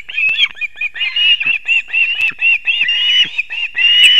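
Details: Osprey nest in Kurzeme, Latvia, 6:40 am on 3 September 2024, the father arriving with two fish for the young; dense, overlapping whistled chirps and short cries with occasional clicks and knocks.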